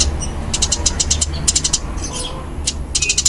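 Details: Fighting-type Eurasian tree sparrow (burung gereja tarung) giving short, irregular bursts of high chirps separated by pauses, fairly loud, with a low hum in the background.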